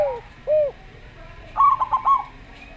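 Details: Local zebra dove: a falling note and a rounded arched coo, then a quick rippling trill of four or five bright notes.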